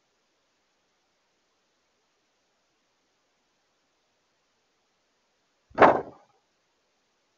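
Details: Near silence broken by a single short dull thud just before the end.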